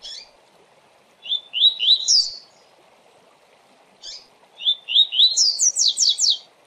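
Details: Double-collared seedeater (Sporophila caerulescens) giving a fast "tui-tui" tutor song for teaching young birds: two bright phrases of quick, slurred whistles rising into rapid repeated notes, over a soft hiss of water.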